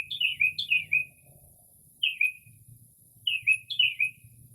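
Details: Mockingbird in early spring, singing at night outside a home and imitating other species; clusters of sliding, downward-curving whistled notes separated by short pauses, over a faint low background hum.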